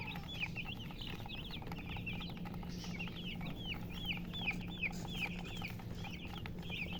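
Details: Chicks peeping in quick succession, each chirp a high down-slurred note, about three per second, over a constant low mechanical hum.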